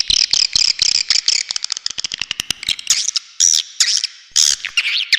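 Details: Swiftlet lure call of fast stuttering chirps, starting in long buzzy runs, then splitting into quick separate clicks and short bursts of high chatter.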